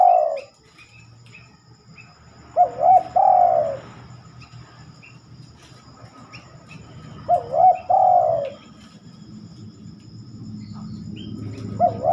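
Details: Night song of a spotted dove, seldom given after dark. Several mellow, wavering coo phrases are spaced about four seconds apart. Faint high chirps and a low background rumble can be heard between them.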